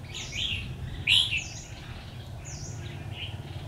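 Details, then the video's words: A red-whiskered bulbul, 'Mí lửa' type, sings fighting song at a trap with a decoy on 13 October 2019: quick whistled chirpy phrases with one loud high note, while another bird gives thin high downslurred notes in the background. "chào mào Mí lửa đấu lăng xăng"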